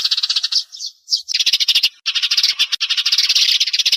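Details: Sparrows calling as a lure for glue traps: busy overlapping high chirps and squeaky twitters in quick succession, with a brief pause near the start and short gaps before the chattering flock sound carries on.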